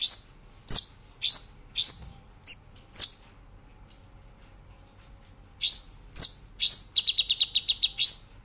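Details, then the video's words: Brown-throated sunbird, a caged bird in a master recording for training cage birds, singing vigorously in the shooting-and-rolling style: sharp, high, downward-swept chirps in quick bursts, a brief pause, then a fast even trill of about eight notes. "Masteran Kolibri Ninja Gacor Nembak Ngerol"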